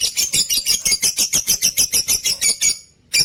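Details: Caged Lutino opaline lovebird giving a fast run of harsh, high squeaky chirps, about six per second, steady for nearly three seconds before a short pause and a fresh burst.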